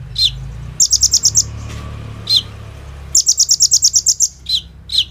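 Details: Lively purple-throated sunbird song meant to prompt other birds to sing: short high trills of quick notes alternate with single downslurred notes, over a faint low hum.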